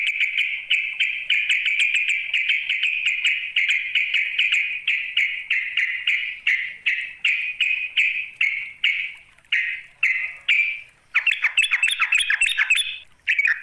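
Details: Sooty-headed bulbul (trucuk) calling a rival: a long rapid series of short, harsh, buzzy notes, gradually slowing and spacing out, ending in a dense burst of chatter.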